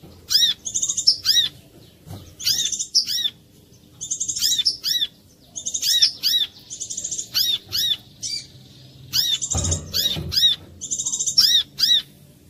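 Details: Clear lure song of a brown-throated sunbird (kolibri kelapa), used to draw other sunbirds into singing: steady run of bright arched chips and high buzzy trills in bursts about every second, with a brief dull thump near the end.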